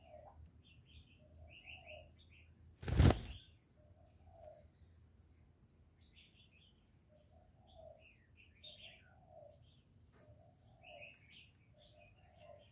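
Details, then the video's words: Spotted dove cooing in the 'thổ' voice style, a call-and-coo sequence used to stimulate male doves. Low, soft coo phrases come roughly every two to three seconds. Scattered high chirps from other birds, and one loud thump near the start. "Cu gáy GỌI+THÚC+GÙ hạp bổi kích trống hiệu quả, Cu Gáy giọng thổ, tiếng cu đất.cườm gáy, cu đất gáy"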